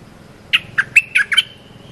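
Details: Cream-vented bulbul phrase for training young birds: six sharp, slurred chirps packed into under a second, ending in a thin lingering whistle, over faint low background rumble.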